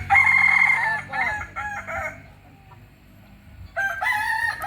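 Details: Original Solok, West Sumatra Kokok Balenggek rooster delivering a loud crow broken into several stepped syllables. It is followed by a quiet pause, then a second crow starts near the end.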